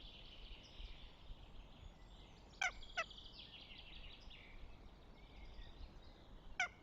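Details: Northern goshawk at its nest in Tartu, Estonia, on 6 May 2025: three short, harsh, clipped calls, two close together near the middle and one at the end, over steady songbird chatter and twittering in the background.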